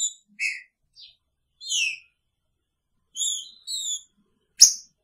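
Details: Green-winged saltator in a cage with its female, singing the picharro style: a quick sequence of whistled notes, some descending, some level and drawn out, ending with a sharp tick.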